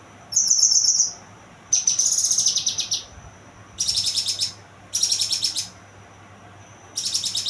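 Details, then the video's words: Young kinoy singing a bright pulsed trill followed by several high, rapid chattering phrases spaced about a second apart, over a faint steady hum. "burung kinoy muda"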